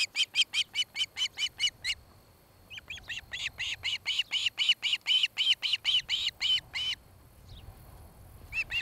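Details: Osprey at a nest cam in Charlo, Montana, where a mated pair builds a nest; rapid runs of sharp, piercing whistled chirps in two bursts separated by a short gap, with a faint final call.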